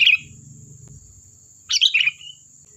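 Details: Sooty-headed bulbul lure song for prompting replies from other birds: a clipped note at the start, then one quick bubbly descending phrase, with some low murmuring background noise.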